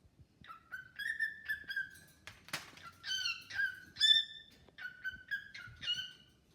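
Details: Pet cockatiel chatting and singing with a new bird: series of clear whistled notes, some level and some rising, in short repeated bursts with a brief scratchy sound midway.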